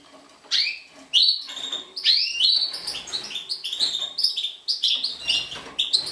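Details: Song of a major-race European goldfinch from 2012, starting with a few loud separated chirps and then running into a rapid cascade of sharp twittered notes and ringing upslurs.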